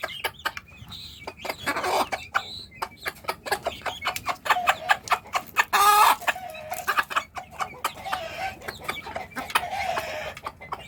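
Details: Hen calling her chicks to food: a rapid series of short, dry clucks with a few drawn-out, tonal calls and one loud raspy squawk midway. Soft high peeps from chicks are heard in between.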